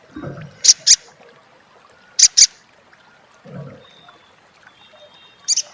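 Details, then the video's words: Sunbird known locally as sogon or sogok ontong: paired high, clipped chips repeated about every one and a half seconds, with a faint low murmur in between. "suara crecet SOGON / sogok ontong!!"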